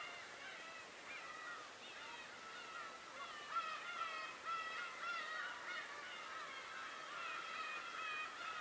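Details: Birds on Tobishima calling as a dense chorus of nasal, harmonic, mewing calls that overlap rapidly and continuously, some rising and some falling, with several birds calling at once.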